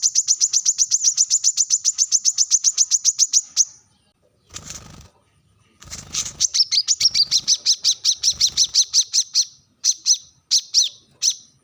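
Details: Brown-throated sunbird calling to rivals: a long run of rapid, high, piercing chips, a pause with soft rustling and fluttering sounds, then renewed fast chipping breaking into short separated bursts.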